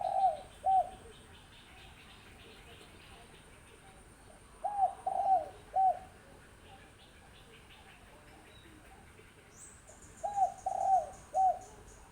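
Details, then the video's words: Wild spotted dove, six months old, cooing. Short phrases of soft, mellow coos, two to three notes each, come about every five seconds. The notes sit over a steady background hiss, with faint chirps near the end. "เสียงนกเขาใหญ่นกป่าอายุ 6 เดือนครับ"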